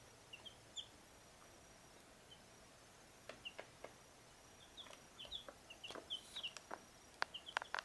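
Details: Four-week-old chicks, four birds of mixed breeds: Easter Egger, Light Brahma, blue Silkie and red Leghorn. Faint, short high peeps scattered through the recording, growing more frequent near the end, with a few soft clicks and taps.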